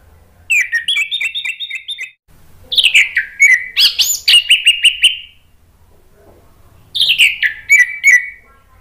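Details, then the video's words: Three bouts of varied, quick whistling from an Orange-headed thrush, with repeated chirps, swooping slurs and a high rising note. Indonesian keepers play it to make birds that have stopped singing respond. "Pancingan ANIS MERAH bikin NYAUT ikut BUNYI GACOR NGEPLONG | TERAPI MACET"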